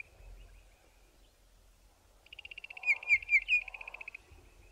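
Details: Bokmakierie pair duetting in Southern Africa; a faint rapid trill of high notes begins midway, with three loud downslurred whistles over it and soft lower mumbling beneath.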